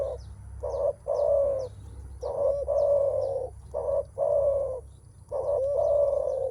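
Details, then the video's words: Spotted dove (terkukur), a male calling on meeting a rival, a sound made when ready to test strength: repeated low hoarse coos in pairs and triplets, roughly forty a minute, with faint high chirps of another bird above. "Suara menguku terkukur, cocok buat penyemangat burung kalian. Pasti lawan dengar suara ini."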